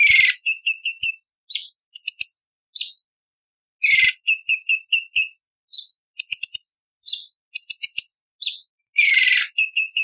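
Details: Training recording of a cucak cungkok bulbul for contest birds: loud, varied high whistles and sharp chattering bursts, short trills repeated in groups, with swooping slurred notes starting several phrases and brief silent gaps between them.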